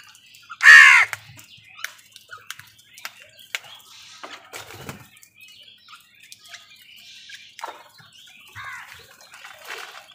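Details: Crow calling while wild birds fight with crows for food; one loud, harsh, short caw near the start, then scattered faint clicks, taps and brief chirps from other birds.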